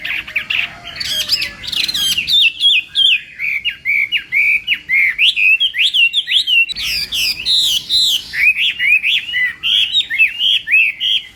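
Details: Morning voice-training song of a Chinese hwamei: a continuous stream of loud, clear whistled notes and slurred phrases, repeated rapidly with brief pauses, including a brief harsher burst partway through.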